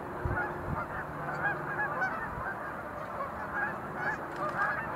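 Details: At Montezuma National Wildlife Refuge visitor center in November 2020, sandhill cranes, some making display leaps, keep up a softer chorus of overlapping rolling calls, with a faint low hum and a few low thumps.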